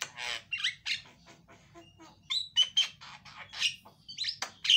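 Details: Javan myna in loud, varied song, used to lure a silent myna into singing, with ragged chatter, creaky squawks and brief piercing whistles tumbling in irregular succession.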